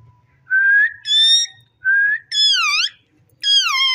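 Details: Ring-necked parakeet talking in a steady sequence: a rising whistle, a bright held tone, another rising whistle, then two harmonic syllables that dip and curve downward, each about half a second long.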